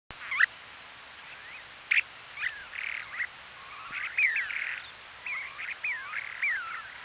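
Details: Western snowy plovers on Ormond Beach in Oxnard, California, during the 2018 nesting season, caught by a trail camera: sharp chirps and short rising slurred notes mixed with harsh buzzy bursts, scattered irregularly through the clip.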